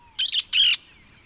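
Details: Two loud, scratchy screeches from a cactus parakeet, each lasting about a fifth of a second, separated by a brief gap. A faint whistled note is heard before them.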